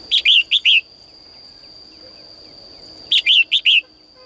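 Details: Morning singing by a caged female bird to stir males into song: two tight phrases of four bright, falling chirps roughly three seconds apart, with a quiet background and a steady high whine.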